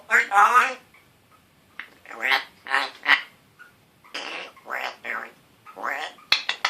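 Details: Young pet African grey parrot, one year old, talking indoors in a scratchy voice: several gurgly, speech-like phrases with rising and falling syllables separated by short pauses.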